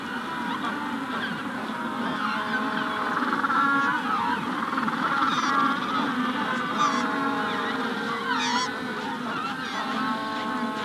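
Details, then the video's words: Continuous chorus from a Magellanic penguin colony at hatching: harsh, donkey-like braying notes overlap in waves for about ten seconds, punctuated by brief high sparrow notes from a Rufous-collared Sparrow in the background. "Magellanic Penguin / Calls MD In Colony At Hatching Stage"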